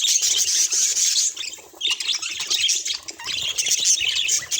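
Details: Budgerigar chatter of sharp chirps and scratchy squawks; the calling softens briefly mid-way, then resumes with lively, varied twittering.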